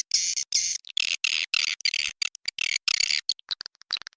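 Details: Swiftlet lure call recorded inside a successful swiftlet house: dense bursts of harsh, high chirping twitters, each lasting up to half a second, separated by short silences, with faster clicky fragments near the end.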